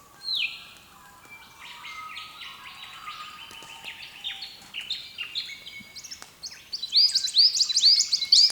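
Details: Wild birds singing early in the morning on the east coast of Australia, recorded by camera: a long whistled note opens, then quick runs of repeated high chirps build to a loud, rhythmic, twittering burst at the end.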